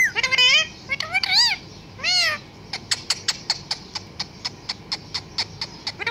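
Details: Talking parrot imitating human words and a cat's meow in wavering tones, followed by a steady series of sharp clicking or tapping sounds about twice a second.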